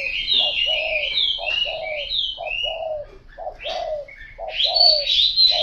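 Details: Spotted dove cooing in short repeated phrases of one quick note and a longer drawn coo, with bright chirps and trills from other birds above.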